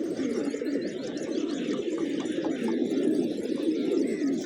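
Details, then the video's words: Hungry village pigeons feeding on fresh grains on a morning, a flock giving a dense, continuous low murmur of cooing, with faint higher chirps of other small birds above. "Cute Pigeons Eating, Playing & Making Funny Sounds"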